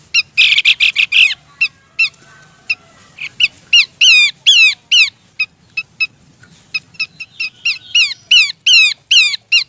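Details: Female Horsfield's babbler calls for the male in a lure recording. A grating buzzy outburst leads into lively strings of descending slurred whistles and short sharp chips, loud and close throughout.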